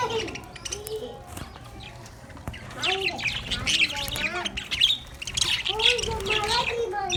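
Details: Pet budgerigars playing happily in a cage, chattering with warbled, sliding chirps and squawky bursts, several birds overlapping in a busy, irregular stream; some low rumbling beneath.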